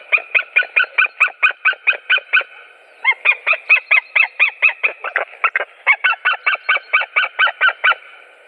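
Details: Three white-tailed eagles recorded on 7 April 2017, calling in long runs of loud, evenly spaced yelping notes, about two per second, broken by a short pause before the series continues.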